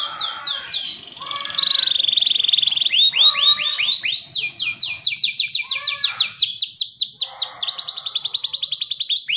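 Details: Loud, nonstop canary song with a lavish, ornamented style, packed with rapid rising whistled notes strung into long rolling trills, switching between higher and lower trill series, with buzzy rattles between.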